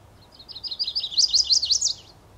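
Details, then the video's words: Male Chestnut-sided Warbler singing its territorial unaccented-ending (Type II) song, a quick, high series of sweet, slurred notes that grow louder and end in an emphatic flourish; foggy early morning, 30 May 2014, Beech Hill Preserve, Rockport, Maine; faint background noise. "Territorial Song of the Chestnut-sided Warbler"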